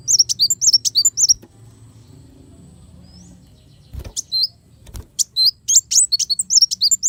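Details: High-pitched sunbird song from a kolibri wulung, used to tutor songbirds: brisk bursts of thin slurred chirps at the start and end, separated by a near-silent stretch with two soft knocks.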